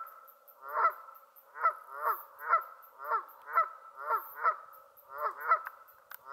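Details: A Canada goose on Lake Waikare gives loud, nasal two-part honks, roughly one every three-quarters of a second, some doubled, with a faint high background hiss.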